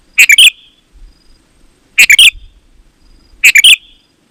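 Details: Loudly singing Sooty-headed bulbul, intended to lure other bulbuls into song; three quick phrases of three or four bubbly chirping notes, roughly every one and a half seconds, with gentle low background rumble.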